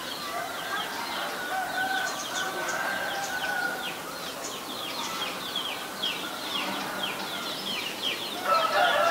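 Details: Chestnut-headed Bee-eater, an adult, recorded January 4, 2020 in Ubon Ratchathani, Thailand: quick high chirping notes tumbling in a steady stream, with a lower droning background sound and a louder burst near the end.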